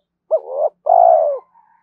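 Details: Spotted dove cooing to stimulate other doves, one phrase of a short rising note swelling into a low hum, then a long, even coo that drops away at its close.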